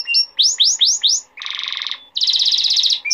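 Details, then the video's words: Male canary song intended for teaching young canaries: four looping rising-then-falling whistles, a harsh buzzing roll lasting about half a second, a short pause, then a rapid bright trill. "تغريد ملك الكناري ذو حنجرة الذهبية لتحفيظ صغار الكناري"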